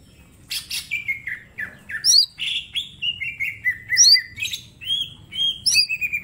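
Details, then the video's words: Small green leafbird in vigorous training song: sliding whistled notes falling and rising, sharp upslurred chips and buzzy bursts, with steady faint low background noise throughout. "Cucak ijo mini gacor full tembakan bongkar materi"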